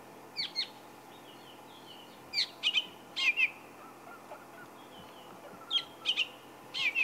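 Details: Fork-tailed Drongo calling just overhead at sunrise in Sabi Sand, 28 February 2016, gives sharp, high chirps and twanging notes in quick clusters of two to four, imitating Woodland and Brown-hooded Kingfisher and francolin calls, over soft hiss.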